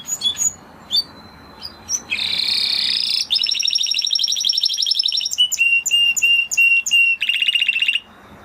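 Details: Spanish Timbrado canary song: scattered high chips, then long, rapid, rattling trills in bursts of one to two seconds, followed by a series of pure, even, whistled notes repeated in quick succession.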